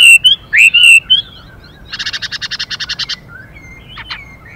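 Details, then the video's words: Chinese hwamei pair: a few loud looping whistles, then a fast rattling burst of about a dozen buzzy pulses, followed by a faint whistle and a short sharp note. "họa mi hót Đảo Giọng liên tục kèm thêm tiếng chim mái xùy kích bổi nhanh"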